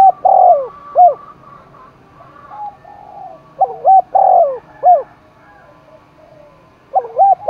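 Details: Spotted dove in Đồng Nai, Vietnam, stirred up for a contest, delivering clear cooing phrases of short notes and one long rounded coo, repeated several times over a quiet rural background.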